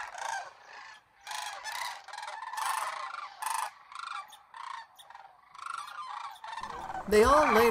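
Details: A flock of cranes in Homer, Alaska, September 9, 2023, after a coyote walked through and scattered them into the air: choppy, rolling rattles in quick irregular bursts, ending with a louder, tonal, wavering call.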